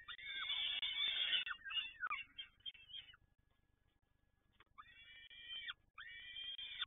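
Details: Peregrine falcon recorded at PGE Toruń: loud, harsh, harmonic-rich wailing calls in rapid bursts, then a quiet pause and two more drawn-out, slightly rising cries, with low hum underneath.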